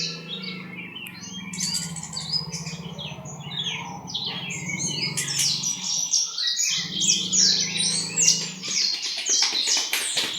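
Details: Horsfield's bushlark from East Java in rapid song of sharp chirps and buzzy trills, with a low droning hum and clicking noise underneath.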